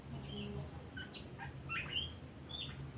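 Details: Singing Oriental magpie-robin, offered as a lure to make other birds sing: soft scattered whistles with a few rising slurs and short notes, fairly quiet over a low droning hum.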